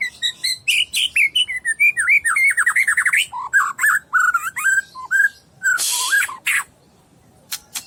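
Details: White-rumped shama, a 12-month-old caged contest bird from Medan, 27 cm long, singing a rapid run of bright slurred whistles and chattering notes, then a harsh noisy burst and a few sharp clicks before falling quiet.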